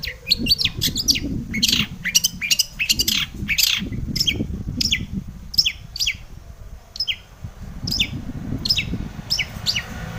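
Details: Long-tailed shrike, a lure recording meant to provoke other shrikes to sing: rapid scratchy chirps and sharp high notes in quick bursts, over a low rumbling background.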